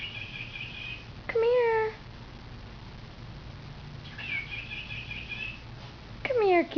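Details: A talking pet cockatiel mimics speech, calling "here kitty, kitty" in short, harmonic, sharply falling notes, as if calling the cat.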